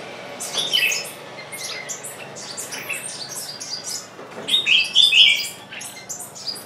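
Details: A decoy bird keeps calling to draw in wild birds that refuse to approach. Clusters of sharp, high chirps come in two main bursts, the second with a louder, clearer whistled phrase, over a faint background hum.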